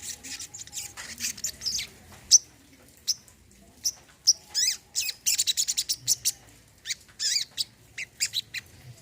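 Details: High, sharp chirps from a brown-throated sunbird, used to coax a bird that has stopped singing, come in scattered bursts, then a busy stretch of rapid twittering with a few slurred rising notes.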